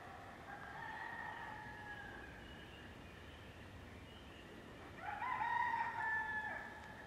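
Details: Roosters crowing as the sun sets over Waihou Spring Valley, a still valley on the Waihou Spring Trail: a fainter, drawn-out crow first, then a louder, rising-then-level crow about three seconds later.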